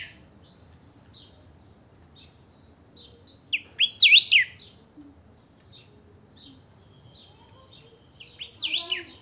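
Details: Pica-style saffron finch (chiviro) in song, played to rouse other chiviros: scattered soft high chips over a quiet background, broken by two loud bursts of rapid, sharply swooping whistled notes about five seconds apart.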